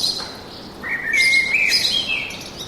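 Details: Birds singing in a forest: a clear whistled phrase rising and sliding near the middle, with high thin chirps before and after over a quiet background hiss.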